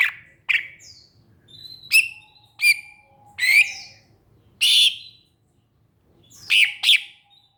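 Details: Greater green leafbird mixing sharp chirps, a rough burst and a thin sustained whistle beneath, notes spaced unevenly with a short silent gap before a final doubled call.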